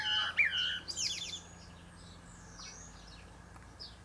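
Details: Common blackbird singing atop a pear tree: a rich fluted warble dropping and rising around mid pitch, ending in a quick high twittering flourish, then near quiet with faint distant bird notes.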